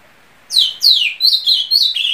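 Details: Ultramarine grosbeak (azulão), a bird kept in homes across Brazil, sings a phrase of clear whistled notes sliding downward from high to mid pitch, followed by shorter level whistles in quick succession.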